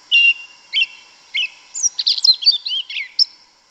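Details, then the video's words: Yellow-legged thrush, Turdus flavipes, called sabiá-preta, delivering its forest song in the wild: three separate chirped notes followed by a quick jumbled run of high twitters and a closing note. "Sabiá Una cantando no mato. Lindo canto mateiro da sabiá preta"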